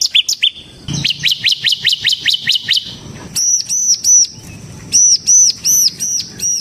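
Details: Bar-winged prinia in energetic 'gacor' song, kept as a lure and tutor bird: fast run of high hooked chirps, then repeated arched, ringing high notes spaced about a third of a second apart.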